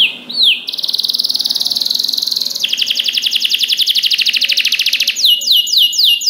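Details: Canary singing vigorously as a tutor for other canaries: a short whistled upslur, then long fast pulsed trills that drop in pitch partway and end in a series of repeated descending swoops.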